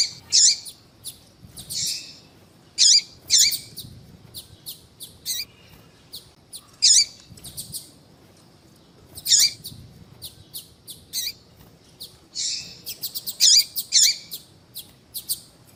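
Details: Female yellow-bellied seedeater calling to attract males for contests: irregular high, sharp chirps and ticks, loud notes scattered across the stretch with short quiet gaps.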